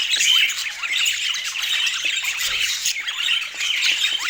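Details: Budgerigar chatter, busy and overlapping, made of quick squeaky warbles, clicks and brief rising chirps that run on without a break.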